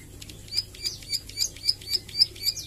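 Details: Practising ciblek sawah, a Plain Prinia learning its 'nglagu' song and 'nembak' shots, gives eight short, sharp, high chips spaced about a quarter second apart over a faint low hum.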